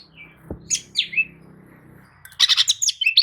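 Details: Oriental magpie-robin lure song for a sluggish kacer; a low rumbling background with a knock opens, then downslurred whistles, followed by a dense burst of quick, bright chattering notes.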